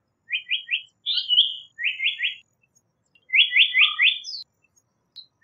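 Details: Japanese paradise flycatcher phrases made of rapid triplets of short rising notes. A longer whistled note sits between the triplets, and a closing run of four buzzy notes is followed by a faint high chip.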